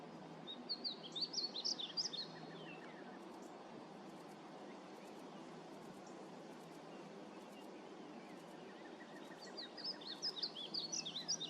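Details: A painted bunting (Passerina ciris) sings two bright, rapid warbled phrases of high sweet notes, one at the start and one near the end, over a steady background hiss.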